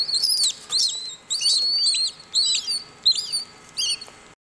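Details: Hatching Cuban whistling duck chicks at WWT Slimbridge calling together to synchronise hatching; shrill, wavering whistled chirps with curling, up-and-down notes in quick irregular bursts from several chicks, fading toward the end.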